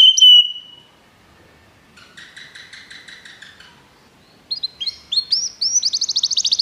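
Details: Begie canary singing for song training: a bright whistle at the start, then a quiet pause with a faint buzzy rattle, followed by rising rapid chirps that speed into a dense high trill.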